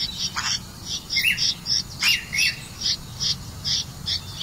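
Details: A Red-vented bulbul catching crickets to feed its chick gives a run of short, bright chirps and chattering notes, about one every second, against a low steady background rumble.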